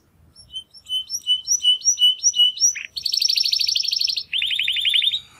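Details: A young male Timbrado canary, one of two brothers from the second 2020 breeding, practising early song after his first molt: a string of repeated clipped whistled notes, then a fast buzzy high roll and a lower rapid trill.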